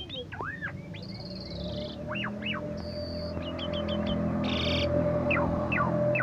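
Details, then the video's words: Asian pied starling, a 17 August contest champion, pouring out varied whistles: looping up-and-down notes, short repeated chips, brief buzzy bursts and falling slurs, against a steady hum. "Jalak Suren Gacor Suara Merdu"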